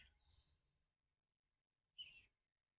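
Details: Common kingfisher chick at an artificial nest box calling unsuccessfully for its mother before crawling to her in a second nest: two high, thin, hissing begging calls, the second sharper and louder, about two seconds apart, faint low rumble beneath.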